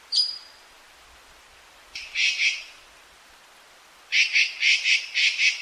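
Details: Azure-winged magpie giving one sharp call, then a doubled rasp, then a fast run of six grating notes in quick succession.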